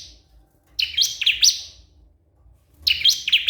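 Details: Bar-winged prinia calling to a rival, giving two bursts of rapid, shrill chirping notes separated by a pause of over a second, with a faint tail of another burst at the start.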